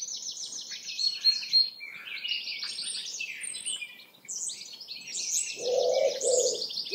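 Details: Chaffinch melodies in a busy chorus: rapid high trills of repeated notes overlap with other songbirds, and a lower hooting sound enters near the end.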